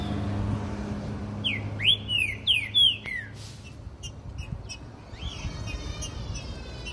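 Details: Green-winged saltator kept in a cage carried by hand along a street. A short phrase of about four sweet, descending whistles, then faint traffic hum and a quieter rising whistle near the end.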